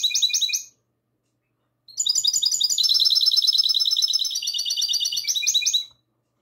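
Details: Night recording from 22 March 2020 of a goldfinch hybrid in classic song: a brief twittering phrase, a one-second silence, then a four-second burst of fast chattering trills with changing notes.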